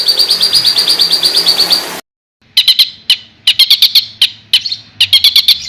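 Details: Songbird from a master recording of rough 'isian kasar' material for competition birds: a rapid high trill, a brief silence, then clustered sharp chips in quick bursts.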